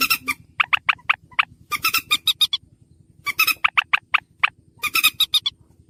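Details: Slaty-breasted rail calls in a lure recording: rapid series of sharp, piercing notes broken by harsh, grating bursts, repeated in clusters every second or two above a constant low electrical hum.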